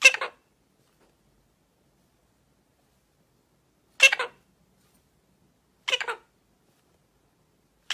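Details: Illiger's macaw calling in short, harsh, raspy bursts, four in all, heard at the start, after about four seconds, near six seconds and at the very end, with silence between them.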